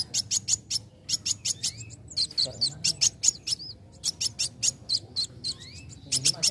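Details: Song of a young sunbird, played to trigger singing in other birds: repeated clusters of shrill high chirps mixed with short rising and falling whistled slurs.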